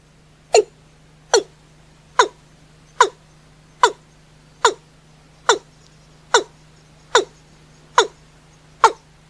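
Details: Night calling of a watercock: a steady series of eleven clipped, falling notes, a little under one per second, over a faint continuous low hum.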